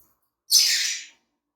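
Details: Green Fischer's lovebird pair, one bird giving a single loud, rasping, high screech of about half a second that fades out at the end, with silence before and after.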